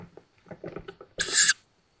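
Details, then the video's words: Fledged Tawny owl chicks at their woodland nest near Szokolya village, Hungary, recorded by a nest camera in May 2022; soft scratchy rustles and taps, then one sharp, wheezy hiss of about a third of a second. "Tawny owls | Little Tawny owls Fledged"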